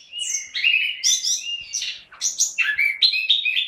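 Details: Short, dense stretch of orange-headed thrush song from a caged bird, with rapid overlapping whistled notes shifting up and down in pitch without pause.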